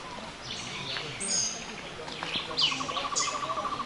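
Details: A bird singing beside a shaded forest trail among giant bamboo during an excursion in Cuba; high chirps and sharp notes, then a rapid, even trill of repeated notes, with a man's voice and footsteps nearby.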